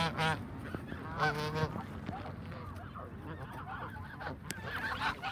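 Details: Canada geese in a flock at feeding time: two short bursts of nasal honking near the start, then only quieter, distant murmuring calls.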